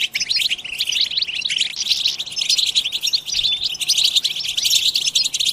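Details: European goldfinches chattering en masse (batbata) to spur goldfinch song: continuous bright twittering and quick trilled notes, densely overlapping from start to finish.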